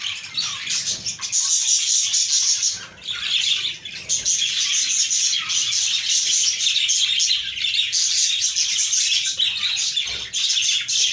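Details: A colony of blue budgies chirps and chatters nonstop in a dense, high warbling chorus.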